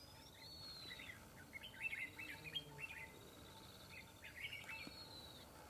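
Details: Red-whiskered bulbul decoy fighting a trapped rival, calling in a lively run of short, sharp chirps and looping whistled notes from about one and a half seconds on, a few more near the end, faint hum behind.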